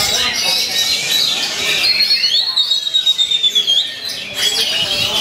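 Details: An Oriental magpie-robin, countering a rival, sings high, clear whistles with sliding notes and a long fast roll of repeated chips, in the style of a white-rumped shama, over faint background hiss.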